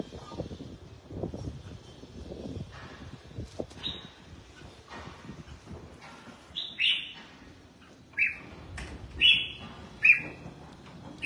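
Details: Red-whiskered bulbul during bathing and sunning, giving loud, bright whistled notes high in pitch, several in a burst near the end after quieter rustling and background clatter at the start.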